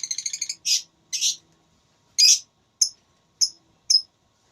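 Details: Lovebird in a singing contest starting with a rapid rattling trill, then rough buzzy chirps and brief sharp high notes spaced about half a second apart.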